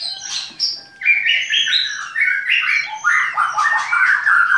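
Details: White-rumped shama (murai batu) kept at a bird-breeding farm in Klaten. A loud, varied song of quick whistled and slurred phrases rises and falls in pitch and runs almost continuously, with only brief pauses between the bursts.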